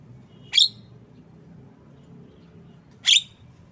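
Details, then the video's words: Javan myna uttering two loud, rasping, high-pitched notes about two and a half seconds apart, with a faint low hum behind. "Bird Song Jalak kebo"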